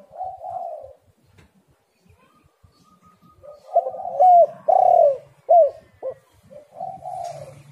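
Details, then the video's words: Spotted dove cooing as a lure for other doves: soft coos, a pause, then a run of loud arched coos in quick succession ending with a softer coo, with a low hum underneath. "tekukur super gacor"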